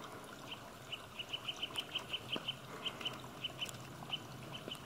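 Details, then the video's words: Spring song of a Eurasian nuthatch, heard as announcing the season: a loose series of single clear whistled notes on one pitch, spaced irregularly, some quicker runs, with faint clicks and water noise behind. "ゴジュウカラ・春を告げる鳴き声 Eurasian Nuthatch"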